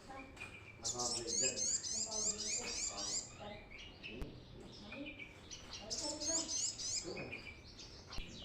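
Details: Brown-throated sunbird, recorded as a lure for catching birds: bursts of rapid high sharp chirps strung into fast trills, a pause, then a second burst, with lower scattered notes and some background chatter.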